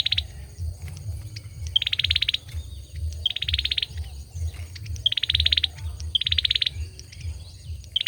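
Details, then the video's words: Male olive-backed sunbird singing: buzzy, rapid trills of about half a second each, repeated roughly every second and a quarter, with a steady low mechanical hum and scattered clicks beneath. "Tiếng sâu dừa trống hót"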